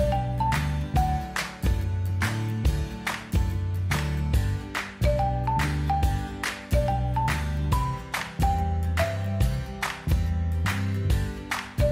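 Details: Upbeat instrumental music with a steady bass line and bright mallet-like chords, with no animal voices.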